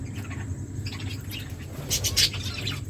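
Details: Several aviary finches give quiet overlapping chirps, rising to a cluster of bright, sharp notes about two seconds in, with a constant low droning hum beneath.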